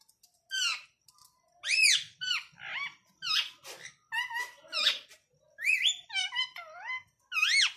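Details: Pet ringneck parrot indoors giving a rapid series of about a dozen sharp, harmonic squawks and chattering arched notes, some rising then falling, some wavering, delivered in quick bursts with short pauses, room otherwise quiet.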